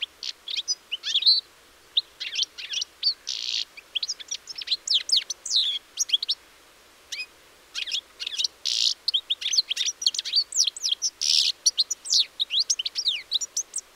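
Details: Goldfinch song recorded 4 April 2018, a long run of rapid liquid twitters and thin downslurred notes with several rasping buzzy notes mixed in, continuing almost without a break, with nothing else heard.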